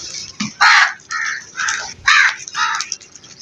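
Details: Crow calling: five harsh, grating caws, roughly one every half second, the first and fourth loudest, over a quiet background.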